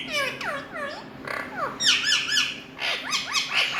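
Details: Several talking Indian ringneck parrots chatter in arched, bending squawks, with loud bursts near the middle and rapid downward-curving notes repeating toward the end.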